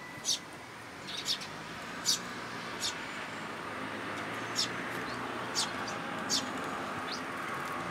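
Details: At a Tenmangu shrine on 2 July 2022, sparrows visit a plum tree feeding spot for food; scattered sharp chirps, sometimes in quick pairs, over a constant low rumble of background noise.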